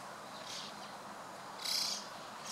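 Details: White-cheeked starlings assembling as a flock, June 2016 afternoon: two raspy, screechy high calls about a second apart, the second louder, set against soft steady background noise.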